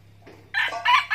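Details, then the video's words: Decoy red junglefowl from Binh Phuoc, Vietnam, loose and answering the call of love to a mate: a short harsh crow in three choppy bursts rising in loudness, with a low steady hum underneath. "Gà rừng mồi giọng này có ổn áp không anh em. Bạn ấy đã xổng ra và theo tiếng gọi của tình yêu."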